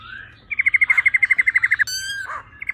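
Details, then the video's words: Female laughingthrush in 'ro ro' style, meant to fire up males: about sixteen rapid, evenly spaced chips in just over a second, then a harsh harmonic burst and a few short notes. "Khướu mái ro ro.kích trống nhanh căng lửa"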